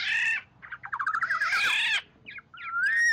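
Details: An oriole gives its flock-gathering call, used to lure other orioles: harsh, nasal squawks, then a quick run of rising, slurred notes and a clear whistled upslur, with no other sounds.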